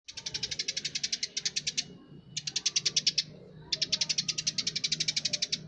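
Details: Eurasian tree sparrow singing vigorously: three bursts of rapid, dry, repeated chirps, about a dozen per second, each burst lasting one to two seconds, separated by short pauses, over a faint low hum.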